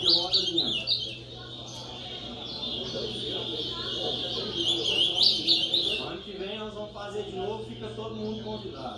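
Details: Competition ultramarine grosbeak, piá style, singing among a noisy crowd at a contest; bright warbling phrases rise and fall above people talking, with a steady low hum underneath.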